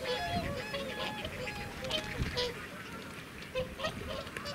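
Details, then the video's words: Whooper swans calling close up at Welney WWT, Norfolk, UK, on 20 November 2017; a noisy flock gives overlapping nasal honking calls, rising and falling bugle-like notes in constant chatter with no clear rhythm. "Noisy Whooper Swans close up"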